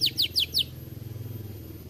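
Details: Lively 'gacor' canary produces four quick downward-slurred whistled notes in about 0.7 seconds, then falls quiet over a low background hum.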